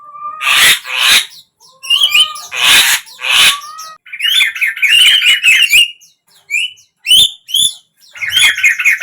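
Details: Javan myna played to make a mute bird open its beak and join in; rasping double bursts alternating with fast chattering trills, whistled slides and sharp chips, lively and varied.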